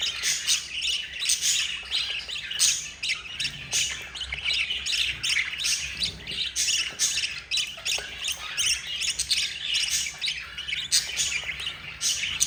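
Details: Yellow mother budgie feeding her four chicks; the young keep up rapid, rasping begging squawks in short repeated pulses, rough and insistent throughout.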